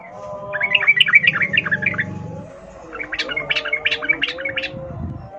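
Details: Sooty-headed bulbul in a lively wild-style rapid 'ngalas ropel' song, used as a lure so captive birds start singing: two bursts of bubbly, chirping notes, each about two seconds long, over a low steady hum and faint tonal background lines.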